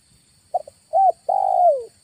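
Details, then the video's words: Spotted dove lure call from August, beginning with a soft double note, then a short coo and a long, slightly tremulous coo that slides steadily lower in pitch. "PANGGILAN SUARA PIKAT DI BULAN AGUSTUS"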